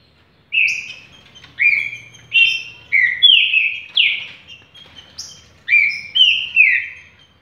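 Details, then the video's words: Rich whistled phrases from a green-winged saltator: strong notes repeated roughly every three quarters of a second, many with downward slurs, delivered in a fast, continuous sequence. "Trinca ferro Bandido."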